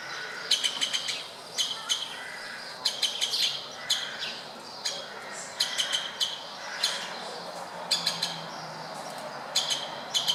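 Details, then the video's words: Woodpeckers calling at a window in Berceni, Bucharest, Romania: loud, clipped kik notes grouped in rapid clusters of two to four, repeated every second or so against steady background hiss. "Woodpecker talk"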